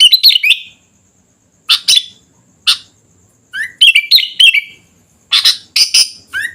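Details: Lively sooty-headed bulbul song: harsh broadband chirps alternate with clear rising whistles and slurred descending phrases, delivered in short clusters separated by brief silences.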